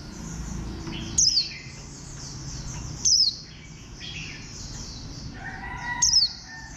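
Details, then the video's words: Three sharp, falling high notes, spaced two to three seconds apart, from a warbling white-eye with a bantam-like stance. Gentle high twitters and soft whistles fill the gaps. "Khuyên xanh dáng gà tre"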